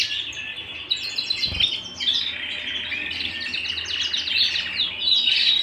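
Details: Indoor canary singing a lively, high warble of quick repeated chirp series and rolling trills, with a single soft thud early on.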